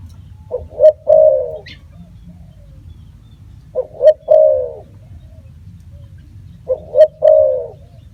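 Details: Three evenly spaced spotted dove phrases about every three seconds, each two rising short notes leading into a longer, softly falling coo, over a quiet low drone.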